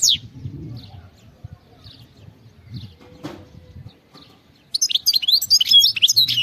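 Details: Goldfinch singing in the khalawi manner: low rustling and soft thumps at first with a few faint chirps, then a burst of rapid, high, tinkling twitters and buzzy trills over the last two seconds.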